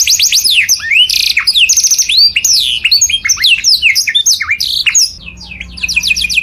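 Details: Bright, loud canary song meant for imitation by other birds: a tumbling run of rapid descending whistles and varied sweeping notes, quickly repeated, fading near the end over a faint low hum.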